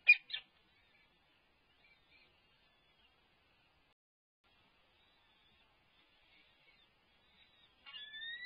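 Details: Peregrine falcon chicks at UC Berkeley, at lunchtime feeding on 7 May 2022, give two sharp, high squeals, then near silence before a thin, drawn-out, slightly rising whine.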